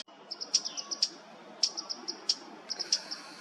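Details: Chestnut-crowned bush warbler in the Mishmi Hills of Arunachal Pradesh, India, recorded in April 2023. It gives short, thin, very high notes in quick little runs, separated by brief pauses, with a few sharp clicks over a faint background hiss.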